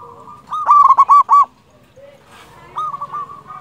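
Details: Local Zebra dove used as a singing lure gives a loud run of about five quick, ringing coo notes, then quieter, fainter coos follow.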